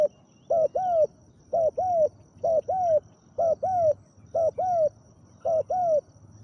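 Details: Spotted dove used as a decoy to lure a wild dove, giving deep, big-voiced coos: paired mellow hooting notes with a slight upward bend, repeated about once a second in steady bursts, faint insect hum beneath.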